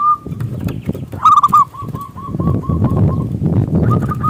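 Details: Local zebra dove with a big voice, singing to lure other doves: a string of short, clipped cooing notes repeated about once per second, some doubled into quick rolls, over a low rumbling background.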